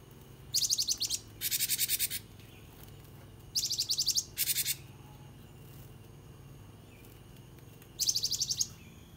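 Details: Java sparrow recorded as a tutor and lure to get other caged birds answering, giving bursts of high rapid rattling trills about half a second long, in pairs with short pauses, over a faint hum.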